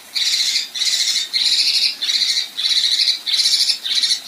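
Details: Female Kinoi besetan: loud harsh rasping buzzes, each about half a second long, repeated steadily every 0.6 seconds.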